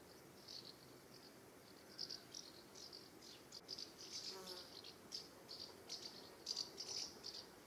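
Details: Around their UK nest site in summer, flying house martins utter irregular high, dry chirps, some doubled, spread across several seconds with a soft hiss behind.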